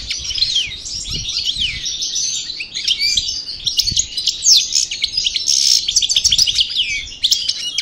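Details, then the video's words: European goldfinch (parva, El Bordj, Algeria) singing after its moult: continuous high-pitched twittering with quick slurred chirps and buzzy trills, steady and fast throughout, with faint low clicks in the background. "Chardonneret Parva Cravaty D'el Bordj Sortie De Mue Repassage"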